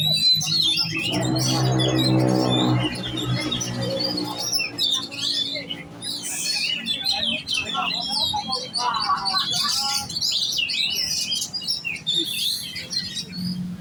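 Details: Oriental magpie-robin (kacer) in giras contest-style singing: a low droning hum at first beneath high notes, then lively varied whistles, trills and chatters continuing throughout.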